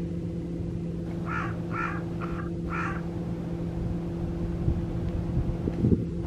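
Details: Escaped captive carrion crow near Guia, Cascais, with torn string on one leg and no fear of people, gives four harsh, hoarse caws in quick succession, about half a second apart, over a steady low engine hum and distant traffic.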